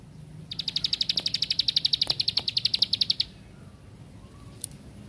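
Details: Plain prinia song: a fast, even series of high, dry ticking notes, about four per second, running for nearly three seconds, then stopping. A faint thin note follows near the end over a quiet rural background.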